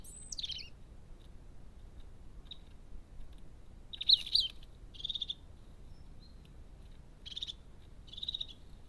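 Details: A crested tit at a garden bird feeder gives high, thin call notes in short bursts, some purring or trilled, spaced a second or two apart over a steady low rumble.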